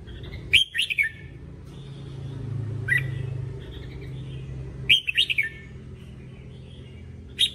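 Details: Red-whiskered bulbul training song with repeated short phrases: a rapid warbled burst, a single sharp note, then another bubbly burst of quick up-and-down whistles and a final clipped note, set against a faint low rumble.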